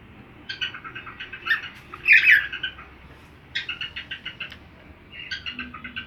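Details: Pet cockatiel singing along to another cockatiel's song while being taught new tunes: short bursts of clipped whistled notes, one louder harsh squawk-like phrase near the middle, then further rapid whistled series.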